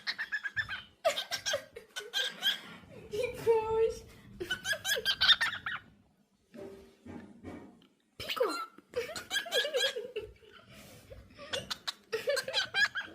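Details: A cockatiel chatters while playing, in bursts of bright, squeaky phrases that sound like mimicked laughter and talk.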